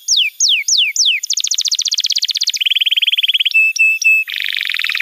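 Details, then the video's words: Canary master song for teaching young canaries: four descending whistled slurs, a long fast ringing trill, a lower steady rattle, three flat whistled notes, then a dense buzzy trill. "Masteran Kenari PAUD & Pancingan Kenari MACET BUNYI"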